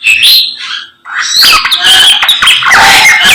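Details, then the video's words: Morning samyong song opening with a few high squeaky notes, a short silence, then a loud stream of chattering and sliding whistles to the end. "SAMNYONG GACOR Menggemaskan DI PAGI HARI SANGAT MENGGILA MELEGENDA 1001 KICAUAN"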